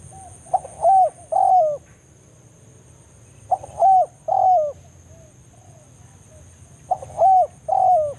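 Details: Spotted dove recorded in forest, 'banggo' call summoning a rival, serving as a lure for trapping doves; three evenly spaced phrases of a quick note and two extended descending coos, steady high hum behind.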